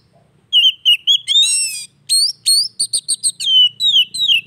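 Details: Oriental magpie-robin song played as therapy for a bird that has stopped singing: a wavering whistle, a rich buzzy note, then a rapid series of sharp chirps and descending slurred whistles.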